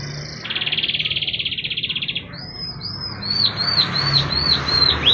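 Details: Canary song meant to draw young or stalled canaries into singing: a dense, buzzy rattle, then brief rising whistles and a run of evenly spaced, bouncing, looped notes over low background noise.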